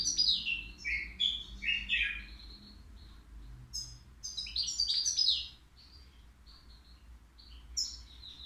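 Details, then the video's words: Flawless song from a three-year-old caged European goldfinch at the Qriaa bird market: two rapid bursts of tinkling, buzzy twitters, then sparse high chips trailing off amid low background hum. "الموقنين بدون أخطاء عندو 3 سنوات"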